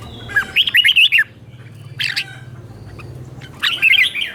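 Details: Red-whiskered bulbul teacher-bird song in the doubled 'beul' style, aimed at caged birds: three bursts of quick, warbling, slurred whistles separated by pauses, over a steady low electrical hum.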